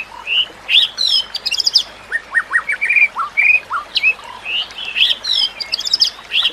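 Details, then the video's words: A white-rumped shama's song for training other shamas: lively mix of clear whistles, upslurs and crackly high chip bursts, phrases spaced by short pauses, over a soft continuous sound of trickling water. "Kicauan Murai Batu yang Menggoda Telinga"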